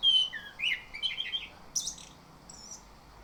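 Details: Orange-headed thrush song played as a lure to prompt birds to sing continuously in the morning: varied whistled phrases, the loudest at the start, followed by short rising and falling warbles and a high wavering note near the end.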